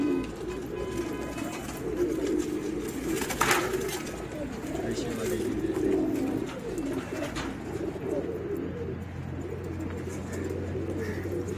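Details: Racing pigeons with children: overlapping low coos swell and fade in rounded phrases, with a clatter early on and a steady low hum in the later part.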